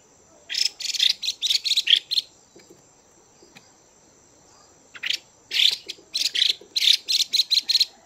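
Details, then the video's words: Captive female Chinese hwamei calling to stimulate males: bursts of harsh, broadband chattering notes in rapid series, two clusters separated by a short pause, with a faint steady high hum behind. "Chim Hoạ Mi Mái VIP Chùi Kích Bổi Căng Lửa Mái Gột Chiến."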